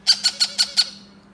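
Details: A hand-fed Yellow-crowned Amazon parrot chick gives five harsh, rasping begging squawks in quick succession, about six per second, over a low indoor hum.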